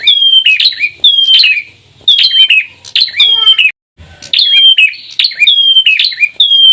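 Bar-winged prinias, male and female, deliver loud, high chirping phrases with sharp descending whistles, repeated roughly every second with a brief pause midway.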